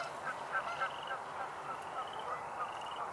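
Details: Geese vocalizing across the way on a birding tour on 4/9/2022 honk repeatedly at a distance, a busy overlapping chorus of nasal calls at about three or four per second, over a steady outdoor background hum.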